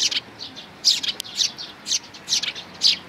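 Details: Sparrow chicks and parents, 11 May 2019: loud clustered chirps, about eight notes in three seconds, some paired in quick succession.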